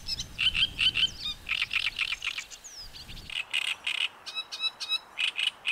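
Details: Great reed warbler song, loud and harsh: grating, croaky syllables repeated in quick sets, then a run of evenly spaced rasping notes. Each burst is separated by short gaps. A faint low rumble is heard early on.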